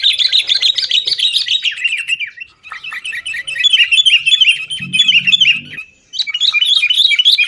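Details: Sooty-headed bulbul, lively fighting-style chatter used as a lure to get caged bulbuls singing; dense run of short bright notes at mid-high pitch, pausing near 2.6 and 6 seconds before resuming, with a faint low rumble midway.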